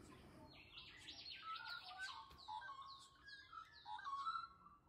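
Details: A yellow-faced honeyeater at a school in Kellys Plains, near its nest, gives lively, rapid chirping notes, with quick downslurred whistles and buzzy phrases repeated in a busy run.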